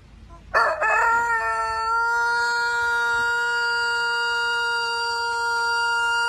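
A rooster gives one long crow: a few quick rising notes, then a loud, steady, drawn-out tone held for over five seconds.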